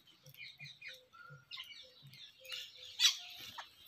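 Jungle babblers give harsh, squeaky chattering notes in quick overlapping bursts, with a brief clear whistle and a few soft low notes between them.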